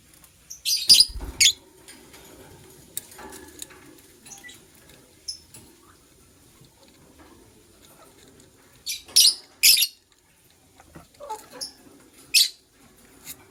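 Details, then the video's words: Morning chirping of a white lovebird pair: scattered sharp, scratchy high chirps, some in quick doubles, spread irregularly over a steady low background hum. "White LoveBird Chirping Sounds"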